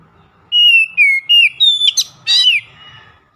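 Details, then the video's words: Loud ngeplong-style song of an Oriental magpie-robin used as a daily lure: level and falling whistled notes, then a rising note and a harsh, rasping burst at the end, over a soft low rumble. "PANCINGAN HARIAN KACER NGEPLONG GACOR SUARA KERAS"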